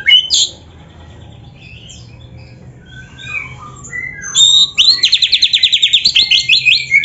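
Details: Oriental magpie-robin in full song with canary-style phrases: a sharp high note, a quiet stretch of scattered soft warbles, then a fast buzzy canary-like trill of about a dozen rapid pulses ending in downslurred whistles; faint low hum beneath.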